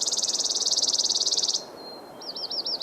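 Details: A Chipping Sparrow, recorded June 8 in a tree at the Grassy Hollow parking lot in the mountains of southern California, sings a relatively fast, dry, high trill of about twenty even notes in under two seconds; a thin whistle and quick slurred notes follow.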